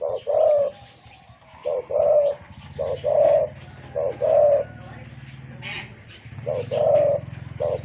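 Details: Spotted dove decoy bird, said to be wild-caught, with a deep, big voice: low mellow coos in short bursts of two to three notes, about once a second with pauses; a brief higher chirp and a steady low hum underneath.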